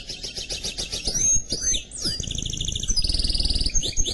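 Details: Canary x goldfinch mule in song, fast chattering trills give way to looping swept whistles, then a dense buzzing trill and a steady high rattle, over low-pitched background hum.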